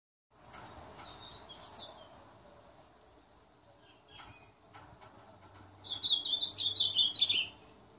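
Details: Ultramarine grosbeak singing a lot: a soft, brief warbled phrase near the start, then a loud, fast, high warbling phrase of jumbled whistled notes lasting about one and a half seconds, over faint low hum.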